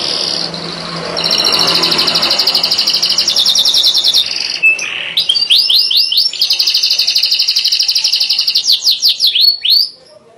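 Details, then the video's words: A yellow canary sings long rolling trills, then a brief pause, a series of rising whistled sweeps, and another rapid rattling trill ending in quick upward slurs. "İnanılmaz sarı kanarya"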